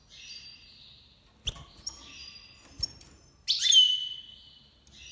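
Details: Major goldfinch from Iran in breeding season 2022 gives thin drawn-out notes punctuated by clicks, ending in a loud burst of bright twittering.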